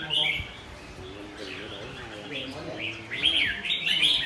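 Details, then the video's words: Red-whiskered bulbul singing intensely, short bright chirpy whistled phrases with quick rising and falling notes in bursts, louder toward the end, with a man's voice talking softly underneath. "Chào mào chơi căng"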